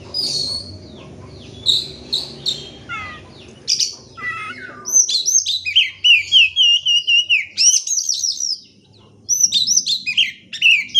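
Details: Oriental magpie-robin song for stimulating silent birds: opening softer chatter over a low murmur, then loud rapid high whistles and slurred notes repeated in quick succession with brief pauses.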